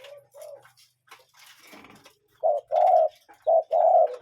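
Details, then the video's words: A cuckoo in nature gives two clear, mellow two-note 'cu-coo' calls about a second apart, the second note held longer, with faint chirps from other birds earlier. "Relaxing Cuckoo Bird Sound"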